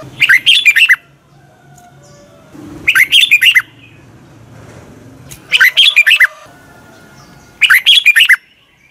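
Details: Red-whiskered bulbul morning song intended for training other birds. Four bouncy phrases of quick, rolling whistled notes, each under a second long, recur roughly every two and a half seconds over a soft background hum.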